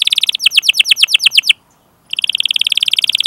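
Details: Canary training song meant to prompt young or silent canaries to sing: a rapid series of downslurred chirps, a short pause, then a fast even trill of bright notes.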